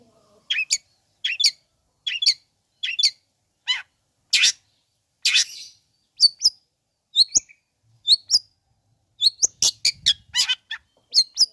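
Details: Long-tailed shrike song used as a lure to stir up sluggish shrikes and get them singing: sharp, high chirps and downslurred whistles in short bursts, with slightly lower, noisier notes in the middle of the series, in quiet surroundings.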